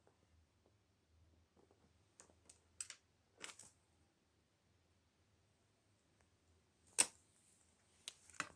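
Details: A quiet indoor room holds faint low hum and a few scattered clicks and rustles, with no animal calls.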